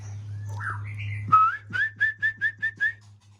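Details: White-rumped shama, known locally as murai Aceh, singing during pairing: a few rising whistled notes, then seven clear, evenly spaced whistles at one steady pitch, with a low steady hum underneath.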